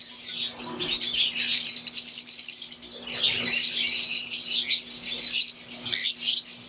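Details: Aviary flock of wild-type green and Euwing Fischer's lovebirds chattering: bursts of rapid, shrill, overlapping chirps that swell, briefly thin out, and return, with a constant low mechanical hum underneath.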